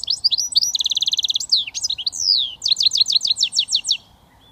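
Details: British goldfinch mule in switty song: a quick trill of rapid high notes, then swooping slurred phrases and a final series of about ten crisp, repeated chirps.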